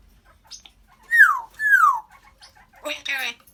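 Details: Two clear whistles from a pet African grey parrot, each sliding steeply downward, then a short buzzy speech-like burst of chatter.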